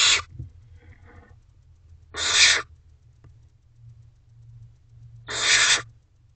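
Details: Barn owl owlets in a nest box at 10:56 pm on 3 May 2023, siblings not interfering as one eats a mouse; three harsh hisses roughly every three seconds, faint scratching between, low hum throughout.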